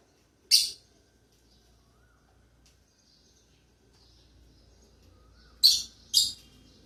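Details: A pet lovebird starting its day in the morning gives three shrill, piercing screeches, one alone and then a quick pair half a second apart, in an otherwise quiet room.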